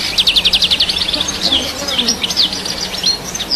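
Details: Rapid high twittering of a European goldfinch, starting with a fast run of repeated sharp notes and continuing with varied chirps and slurs, set against constant background noise and a low hum.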